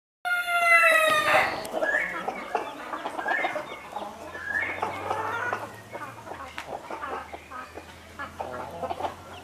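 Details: Two Silkie chickens with four chicks: one harmonic, crow-like call in the first second, then steady busy clucking and short chirps through the rest, with a faint low hum in the background.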